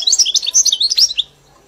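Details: European goldfinch kept in a cage and tutored on the 'mili' song style delivers a quick burst of tinkling, twittering high notes that ends abruptly after about a second.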